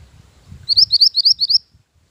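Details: Lure song of a Mantenan gunung bird, used for training as master song: six high, rapid upslurred whistled notes in quick succession, crisp and bright, with faint low rumble beneath.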